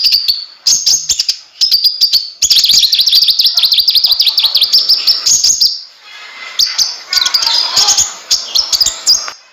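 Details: Konin in full gacor song, used as tutor audio for other birds: long high warbling phrases full of fast repeated chips. A quieter, lower twittering passage follows, then more bursts of high notes.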